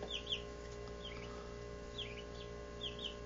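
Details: Peeping of 17-day-old Barred Plymouth Rock chicks: short, high-pitched notes that slide downward, in small clusters of two or three roughly every second, set against a constant low hum.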